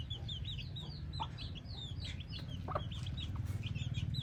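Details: Chickens and hen calling: crowded, fast high-pitched peeping, with a couple of short, lower clucks and a pulsing low hum growing toward the end.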